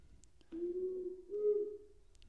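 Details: Female Powerful Owl (Ninox strenua), Australia, gives a slow, mellow double hoot: two long, low notes, the second a little higher and louder, over a quiet background; females are higher pitched than males.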